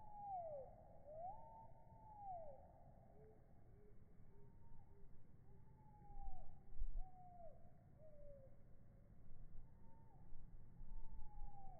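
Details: Eurasian wren song, probably mainly a wren, slowed right down in slow motion, its rapid trills stretched into slow, sweeping whistles that swoop up and down, over a steady low rumble.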